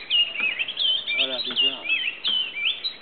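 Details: Oriole warbler (Hypergerus atriceps) at Grand Popo, Benin, giving rich, liquid whistled phrases that loop and slur up and down, fairly high and continuous, with a few lower chattering notes mixed in.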